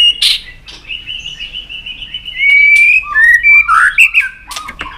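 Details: White-rumped shama, excited and fired up, flicking its tail on a perch. Loud, clear whistled phrases: a long steady note, then rising and falling slurred whistles and sharp clicks in quick succession.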